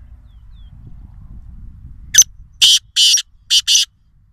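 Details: Black francolin at a farm house in Nawabshah, Sindh, Pakistan, gives a harsh, grating phrase: one short clipped note, then four loud rasping notes in quick succession, over faint low background rumble.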